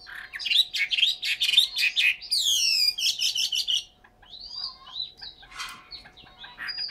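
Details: Caged Chinese hwamei in Hanoi, Vietnam, pouring out rapid scratchy chatter and a harsh descending buzzy note, then quieter scattered whistles and a rasping burst.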